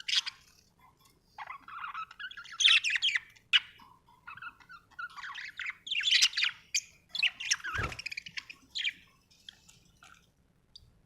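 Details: Budgerigar from Australia chirping happily in uneven phrases of squeaky, warbling twitters and short rising notes, loud and soft in turn, with brief silences and one sharp click.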